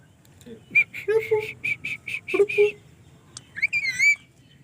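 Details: A happy pet parrot giving a run of evenly spaced short whistled notes, about eight in quick succession, followed by a wavering rising-falling whistle; a person briefly speaks at the start.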